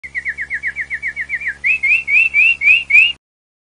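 A canary sings a fast rolling trill of about thirteen quick notes, then shifts to six slower, brighter rising whistles, all high-pitched and clear.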